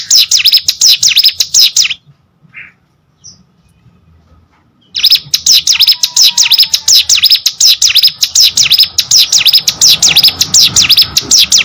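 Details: Hill prinia kept as a pet, in vigorous song: fast, evenly repeated high buzzy notes, each dipping and rising, broken by a three-second silence before a long steady run resumes.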